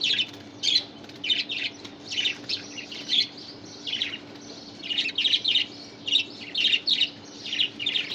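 Young budgerigars give rapid, raspy high chirps in short bursts, close together and overlapping.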